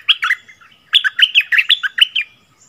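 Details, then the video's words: Merbah lekir bulbul delivering a double-style song, February 2021: two brief opening notes, then a lively string of about ten loud, rich, warbled whistles that dip and rise, each one sharply separated. "เสียงต่อนกดอกแตงEp.33เสียงใหม่ล่าสุด เปิดดอกเพลงเบิ้ลน่าฟังSuara merbah lekir"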